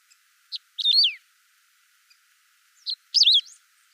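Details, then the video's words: Clean, unedited Saffron finch song: two brief phrases, each a sharp introductory chip followed by a bright, wavering whistle that swoops downward, separated by a pause of about two seconds. "Som limpo do canto🎵 do Canário do Campo. Som original da ave, sem interferência de efeitos sonoros."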